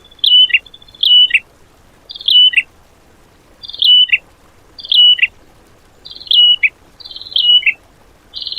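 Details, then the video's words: Training-material bird song in the tembakan style, for cage birds to copy. Short high whistles drop sharply into a lower note, repeated roughly every second and a quarter, with quiet between phrases. "MATERI ISIAN BURUNG TEMBAKAN MEWAH POWER DOOR"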